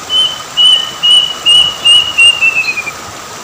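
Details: Plaintive cuckoo calling near an Indonesian river, giving a series of about seven piercing whistled notes, each slurring slightly downward, the whole run stepping lower and speeding up toward its end; constant background hiss throughout.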